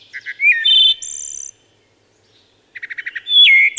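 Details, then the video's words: Wood thrush song in clean stillness: short low notes, a sliding flutelike whistle, a shimmering high trill, then after a pause a run of rapid repeated notes leading into a falling whistle. "Wood Thrush Bird Singing"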